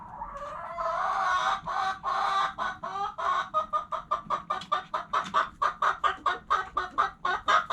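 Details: Hens clucking: a drawn-out rising note opens, then short clipped clucks repeat about three times a second, steady and loud, with a low hum underneath.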